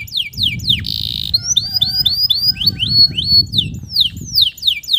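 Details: Singing male canary, played to coax stressed, silent canaries back into song; steep descending notes, a short buzzy rattle, then a run of repeated rising-falling whistled notes and more downward sweeps.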